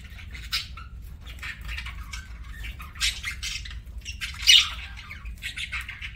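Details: Pet parakeet (budgie) chirping while eating, giving scattered short buzzy, scratchy chirps in bursts, with a low steady hum underneath.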